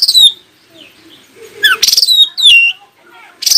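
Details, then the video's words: Oriental magpie-robin song meant to make other magpie-robins reply: a few loud, sharply falling whistled notes separated by quiet gaps, with faint low background murmur. "KACER ANDA LANGSUNG IKUTAN NYAUT dan NGOBRA JIKA DENGAR SUARA KACER INI"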